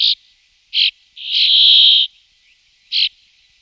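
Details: Brambling from two pairs watched through an afternoon and evening, giving short nasal buzzy notes and one long drawn-out wheezing buzz lasting nearly a second, separated by quiet gaps, with no other clear sounds.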